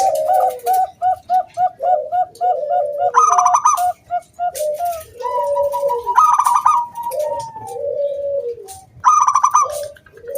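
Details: Local zebra dove in lively song used to lure other doves into singing, in a clear round 'kung' style: dense overlapping runs of quick, evenly pulsed notes alternating with lower, falling cooing phrases, possibly from more than one bird.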